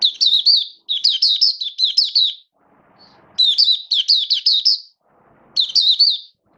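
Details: Oriental white-eye kept as a hobby bird, singing in build-up form on 19 September 2022: three bursts of fast, high, slurred chirping notes running together into lively warbles, with brief pauses and faint low murmur between them.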